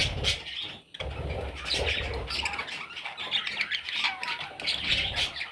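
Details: Several parrot chicks chatter nonstop in scratchy, high squawks, briefly hushing near the first second before the noisy chorus resumes, with dull bumps in the background.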